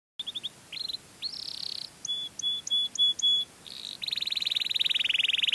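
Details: Canary singing a melodious song used to lure other canaries: short high trills, then a buzzy rolled phrase, a series of clear piping whistles, and a long fast rattling roll at the end.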